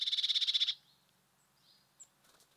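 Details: Bird at a feeder giving a loud, rapid dry trill of about a dozen even pulses lasting under a second, followed by a few faint, thin chirps.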